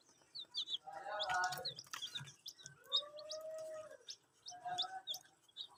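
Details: Young domestic chickens drinking water give scattered high, sliding peeps, mixed with lower drawn-out tonal sounds and soft background noise.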